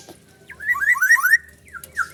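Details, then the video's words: Black-naped oriole singing with siren-like imitation inserts: a series of loud, fluting, slurred whistles rising and falling in quick succession, followed by shorter downward-slurred whistles; quiet steady background hum. "suara kepodang isian sirine josss"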